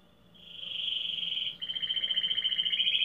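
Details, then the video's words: Domestic canary, labelled Belgian canary, fibra song, in a singing contest in Pelotas, Brazil: one continuous high rolling trill swelling in loudness, shifting pitch slightly halfway and turning into pulsed, rapidly repeated notes. "Canário Doméstico"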